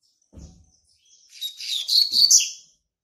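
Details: Double-collared Seedeater, a young male born in March 2019, sings to claim territory. A soft thump comes first, then a rising, chattering run of high twittered notes that grows louder and ends in bright chirps after about a second and a half.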